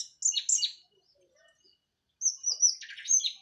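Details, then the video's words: Cililin orange-headed thrush just out of moult singing plong style: two short bursts of very high, bright trilled whistles separated by a quiet gap. "KICAU ANIS MERAH PLONG + TELER LOKAL CILILIN BERES MABUNG"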